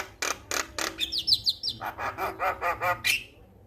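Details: Male Javan myna singing on a training recording used to prompt other mynas to sing: three sharp clicks, a quick series of thin slurred whistles, then an even train of about eight nasal churring notes.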